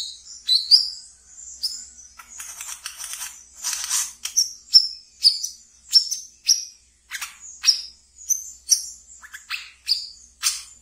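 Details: Caged wiceh in ngeriwik song, kept as a lure for training brown-throated sunbirds: high, sharp down-slurred chirps repeated roughly once a second, with a denser buzzy twitter in the middle.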